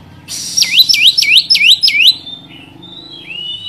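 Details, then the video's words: Oriental magpie-robin song used to provoke a rival: five loud swooping V-shaped whistles in quick succession, followed by softer rising slurred whistles over a faint low hum. "pancingan burung Kacer gacor ini bisa mendobrak emosi Kacer anda degan cepat"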